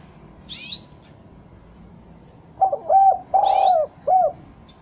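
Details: A spotted dove sings a single mellow cooing phrase of a brief hooked note, a doubled coo, a long sliding coo and a short closing coo, played as a lure to bring doves down; thin chirps of small birds sound at the start.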